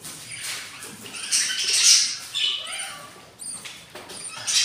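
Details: Budgerigar chicks, hungry at four days old in a breeding nest where three of eight eggs hatched, giving scratchy high squeals and raspy chatter that swells and breaks off.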